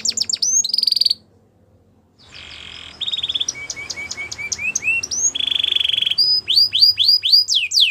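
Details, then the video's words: Belgian canary training song: rapid high trills, rolling tours and sweeping whistles in fast bursts, broken by a second-long silence, over faint background hiss. "Canary Training Song Video | Belgian Canary Singing"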